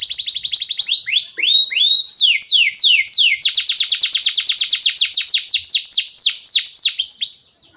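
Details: Singing canary whose long song serves as tutoring lure for young birds; rapid high trills shift into loud sweeping downslurs, then a long dense chain of quick repeated notes fading at the end.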